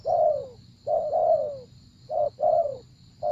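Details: A spotted dove, used as a trapping decoy, repeats a mellow short-then-long coo, the second note gliding lower, roughly one phrase per second and a half, steady faint background hiss.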